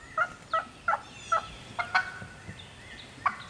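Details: Wild hen turkey alone in Georgia turkey woods, calling back and fired up: a series of short, sharp, evenly spaced yelping notes, each a brief raspy burst, with a couple of later notes after a pause.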